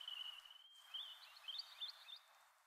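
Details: A Little ringed plover, one of several foraging and foot-tapping on a wet meadow in Oulu, Finland, on 6 May 2020, gives a high, rapid rolling trill that breaks into sharper, slightly wavering notes before fading after about two seconds.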